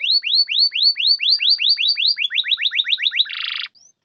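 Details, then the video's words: A canary sings a rapid series of upward-sweeping whistles, about four per second, slightly speeding up, ending in a short harsh buzzy burst. The recording is meant to trigger silent canaries into song. "Pancingan kenari macet malas bunyi bisu pasti langsung nyaut"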